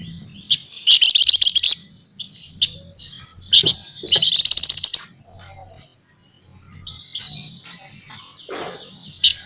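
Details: Nyerecet chattering by a scaly-breasted munia: two long, loud buzzy rattles, scattered sharp chips and softer twittering, with a low hum beneath.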